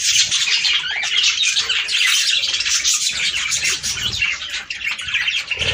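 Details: Budgerigars chattering together, a sound played to stimulate breeding; a dense, unbroken warble of squeaky chirps, buzzy trills and short squawks from several birds, steady in loudness throughout.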